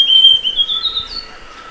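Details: Song of the Amazonian Grosbeak: a high, pure whistled phrase in short linked segments that drift slightly upward, then a softer higher note before the sound fades out into quiet hiss.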